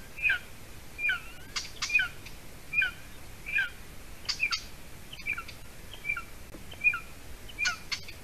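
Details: Nestling golden eagle in Latvia on 30 June 2020 near 6:20 p.m. as the female brings a meal; a steady run of high, thin, descending whistles, about ten in eight seconds, mixed with occasional rustling noises at the nest.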